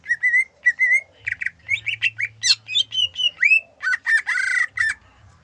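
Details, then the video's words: Song of a greater green leafbird, Gayo type, with zebra dove imitation. Short repeated whistles lead into fast, rich varied notes: downslurred whistles, rising slurs and buzzy chatter, delivered in a steady rhythm. "Cucak ijo gayo Isian perkutut"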